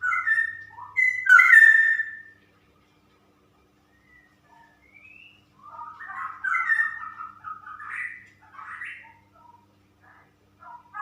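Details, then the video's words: Female straw-headed bulbul singing in the 'super ropel' style: a rich, bubbling burst of mellow whistled warbles lasting about two seconds, a pause, then a longer run of gurgling, tumbling phrases around mid pitch. "Burung Cucak Rowo Betina Super Ropel"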